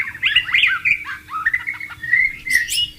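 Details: Wild white-rumped shama with running water nearby: lively, warbled whistles tumbling quickly, including slurred and rising notes, ending in a sharp high note.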